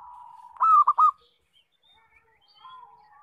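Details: Local zebra dove with loud song, used as a lure for trapping. A steady soft coo leads into a loud phrase of three rapid arched notes, then faint scattered notes.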